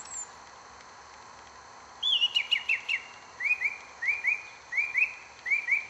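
A song thrush sings a quick run of down-slurred whistles, then a short two-note phrase repeated about four times. A faint high note comes before it.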